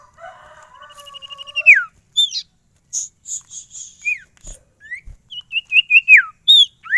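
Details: Ashy Tailorbird (sirtu), a caged songbird in varied full song: a rapid trill climbing into a downward sweep, then scattered high notes, two bumps, and a fast run of bright chirps ending in downslurs.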